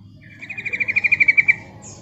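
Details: A single rapid, rattling trill of about fourteen pulsed notes that swell in loudness, from a female Yellow-vented bulbul calling to attract and lure birds into replying.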